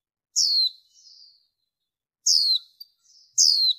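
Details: Noise-cleaned recording of a female warbling white-eye, used in the 2023 season to stir up males: three bright, high chirps, each falling steeply in pitch and trailing into a faint twitter.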